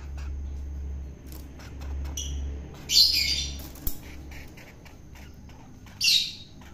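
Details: Long-tailed shrike, taken from the wild and now being fed to make it tame, utters two separate scratchy, grating squawks roughly three seconds apart, with faint clicks and a low hum between them.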